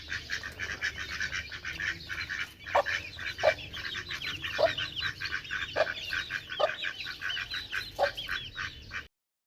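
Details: Several ducks calling together, overlapping nasal quacks with occasional sharper, lower honking notes every second or so before an abrupt cutoff.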